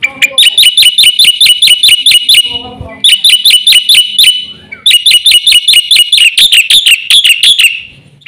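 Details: Energetic Black-winged myna song with fill-in phrases, used as a lure and tutor for mynas: long runs of rapid, metallic high chirps, with a short break midway.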